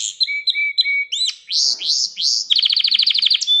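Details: Canary singing for the training of young canaries: short flat whistles, several loud upward-curving sweeps, then a fast even trill of bright notes.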